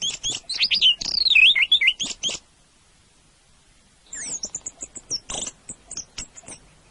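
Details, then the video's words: An orange-headed thrush delivers fast, tumbling warbled phrases of wavering high whistles and sharp chips, goes quiet for about two seconds, then resumes with a rapid jumble of high notes. "Kicau suara burung anis merah"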